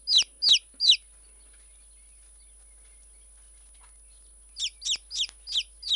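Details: Three quick, piercing downward peeps from a tame young Silkie chick, then several seconds of silence, then a run of five more high, descending peeps at a brisk, even rhythm.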